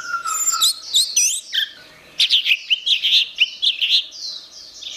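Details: Orange-headed thrush in energetic gacor song: a long clear whistle, then swooping slurred notes and a rapid burst of bright chirped phrases.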